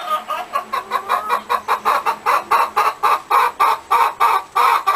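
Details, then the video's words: A hen gives a steady run of short, throaty clucks about every third of a second over low background hum, each note bright and slightly nasal, continuing evenly for five seconds. "Som de Galinha - Galinha cacarejando"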